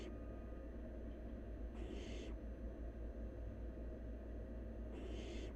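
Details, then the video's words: Wild barn owl nestling feeding on half a rabbit: rough hissing screeches, one near the middle and another at the end, about three seconds apart, with a trailing hiss at the very start, over a continuous low drone. "Barn Owl Nestling Devours Half A Rabbit In One Gulp"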